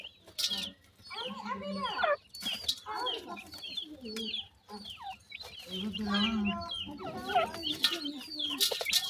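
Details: Grey francolin chicks at feeding time, given termites and homemade desi food; a busy chorus of high, curved cheeping notes over a low human voice murmuring in the background.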